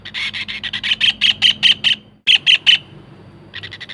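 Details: Collared kingfisher calling actively, used as a lure and tutor recording: a rapid series of harsh, ringing notes, roughly five per second, growing louder, abruptly cut off, then resuming in a short burst and a softer faster run.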